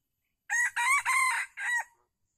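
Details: Red junglefowl crowing during decoy trapping of wild birds at Calang, Aceh Jaya, Indonesia, 12 February 2020: a loud, harsh crow of four strained syllables, the last one set apart after a short gap, over a quiet background.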